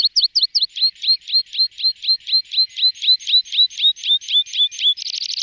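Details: Water Pipit call used as a decoy; rapid series of high, sharp chirped notes, about four per second, evenly spaced, ending in a faster buzzy trill.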